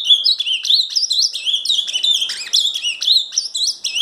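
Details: Ultramarine grosbeak from Paraná singing a rich, fast warbled phrase of slurred whistled notes, rising and falling, continuous through the clip with no other sounds.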